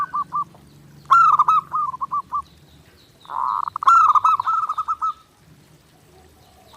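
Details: Clear zebra dove song for training: two loud bursts of quick stuttering coos, each opening with a bright sharp note and tailing into evenly spaced softer pulses, with a silent stretch between.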